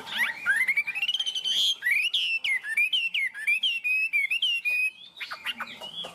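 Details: A tame, strong-singing Chinese hwamei with a high 'cao cầu' delivery, perched on a peach-wood perch, pours out a long series of sweeping whistles, then sharp repeated notes, ending in scattered chips.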